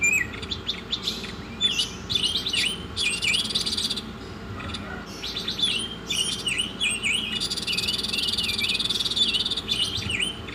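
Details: Oriental magpie-robin singing in a masteran recording: varied sharp whistles and clicks in rapid runs, two long raspy buzzing trills overlaid with falling whistles, and a closing high slurred note, hum underneath.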